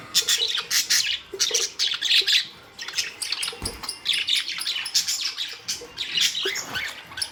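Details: Budgerigar flock from May 2, 2023 giving dense bursts of shrill chirps and scratchy warbling, rising and falling in loudness roughly every second, many birds calling at once.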